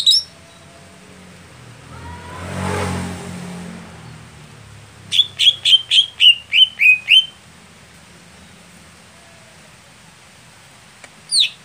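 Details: Greater green leafbird in contest training, a bird slow to come into form. A single note is followed by a whooshing rumble, then a quick string of eight crisp falling whistles and one final high note.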